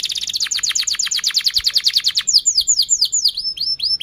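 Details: Canary singing to prompt other canaries and train young ones: a fast, even trill of repeated notes for two seconds, followed by slower, looping downward-sweeping whistles.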